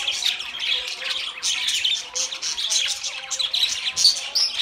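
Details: Budgies in a group give rapid, overlapping high chirps and raspy warbling, a steady wall of twittering with a few sharper squeaks toward the end.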